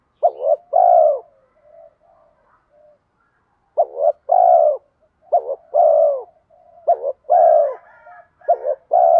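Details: Spotted dove lure recording, bronze-voice style with urging coos: repeated low phrases of a short stuttered note and a longer hollow coo, a brief gap, then several more phrases in steady succession.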